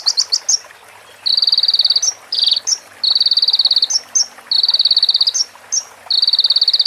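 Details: High-pitched crimson sunbird song, a training recording with prinia-style mimicry: short chips, then a run of dense buzzy trills of under a second, each broken by quick sharp notes, steady hiss behind.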